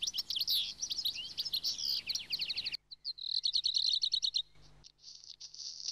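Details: A European goldfinch, a seed-eater of flowering fields near human settlements that stays through winter and roams in groups, gives a fast, liquid, tinkling twitter of high notes, broken by a short pause and ending in a thin buzzy trill.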